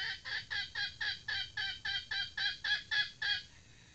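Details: Female red junglefowl kept as a trained decoy bird, giving a run of about twelve harsh, nasal clucks at roughly four per second that fade out near the end; quiet low hum underneath.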